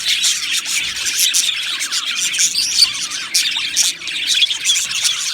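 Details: Australian budgies in an aviary colony sing and chirp, producing rapid high twittering and warbling with louder bursts every second or so.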